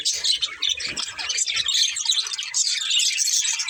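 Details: Several budgerigars chirping: dense, continuous high twittering chatter with quick overlapping chirps and warbles throughout, no other clear sounds.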